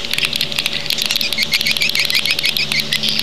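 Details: A swiftlet lure-call recording of the kind played to attract swiftlets to nesting houses: a dense, constant chorus of rapid, high, clicking chirps and twitters overlapping without pause, over a faint steady electrical hum.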